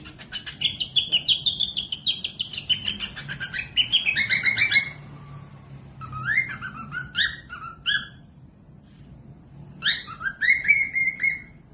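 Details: Cockatiel, a pet parrot, singing. The recording is used to train other birds that sing little. A rapid run of chirps gives way to rising whistled phrases, repeated in several bursts with quiet gaps between them.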